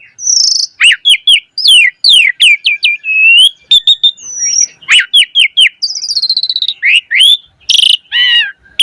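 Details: Black-collared starling pouring out varied, mimicry-rich song to get other starlings singing: fast slurred whistles, a rising note run, a dry buzzy rattle and loud harsh squawks mixed throughout.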